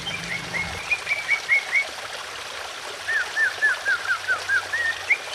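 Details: Greater green leafbird singing emotionally, meant to make other leafbirds sing along, over trickling water: two runs of clear downslurred whistles, each run of six to eight notes about every quarter second, separated by a pause.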